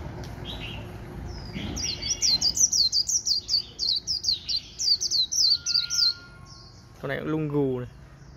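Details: White-eye in a cage, singing líu with a phone held nearby: a rapid, even series of very high, sharp slurred notes, about three a second, then one harsher, lower rasping call.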